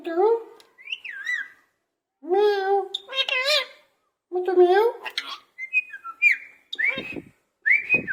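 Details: Parrot talking in its cage and imitating a cat's meow; several drawn-out, meow-like wavering sounds with rich harmonics, mixed with shorter whistled and chattering notes and brief pauses between bursts.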